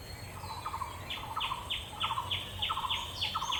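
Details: Bronze-winged jacana, a male resting on water hyacinths with his chick sheltered in his wings, in wetlands at Purbasthali, India; rhythmic series of paired notes, a lower chattering burst then a sharp descending higher note, repeated about every half second.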